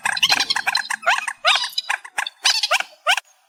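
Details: Reed warbler song in an amplified recording: harsh, chattering bursts of stacked notes repeated in quick phrases with short gaps, loud and clear, ending in a brief pause.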